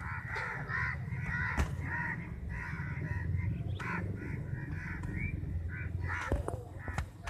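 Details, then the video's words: Fifty crows contesting a chapati; a dense run of short harsh caws repeated steadily, over a continuous low hum. "crows sound"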